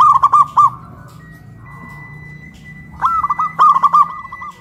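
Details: Two zebra doves dueting from cages hoisted on a pole in Kuningan, West Java, big voice versus crystal voice; quick chains of clipped coos open and close the passage, with a quieter murmur between.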